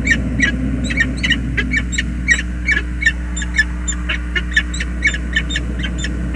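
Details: On the James River Bridge, USA, a male peregrine falcon greets the arriving female in the nest, 20 February 2022. Harsh, repeated squealing chatter comes in quick bursts over a steady low-pitched drone.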